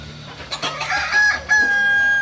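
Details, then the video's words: Kokok Balenggek rooster crowing during a shared crowing practice session at Amko in Solok city; a rough, broken start climbs into a long, steady, clear held tone near the end, with overlapping bird sounds behind. "Latberan ayam kukuak balenggek"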